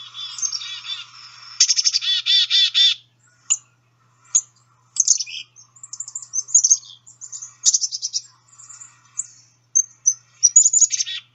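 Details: Black-capped Chickadee giving a mix of its other calls, not the chickadee-dee-dee call: high thin notes, rapid buzzy stuttered series and short sharp chips, all high-pitched, in a quiet setting.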